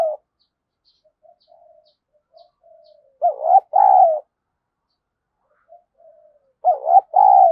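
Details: A spotted dove decoy calling to provoke rival birds to fight: soft, quiet murmured notes build into two loud double-coo phrases, each a dipping note then a longer hoot, about three seconds apart.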